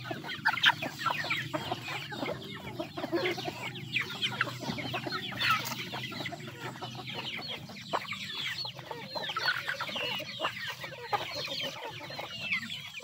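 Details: A long stretch of chickens eating, many birds clucking and cheeping at once, with quick rising and falling peeps and constant pecking taps over a faint hum.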